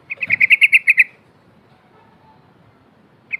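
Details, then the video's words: Yellow-vented bulbul in gacor ngikluk song with wing flapping, a lure for mute bulbuls: a steady run of about ten bright chirps, then quiet, with one more note at the end. "TRUCUK BISU AUTO BUNYI ‼️TRUCUK GACOR GARUDA NGEPAK NGIKLUK"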